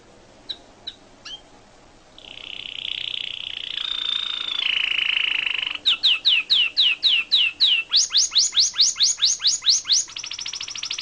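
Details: Caged Atlantic canary singing: a few soft chips, then a buzzy tremolo and warbled phrase, followed by rapid repeated downward-sweeping whistled notes, speeding into a fast high trill.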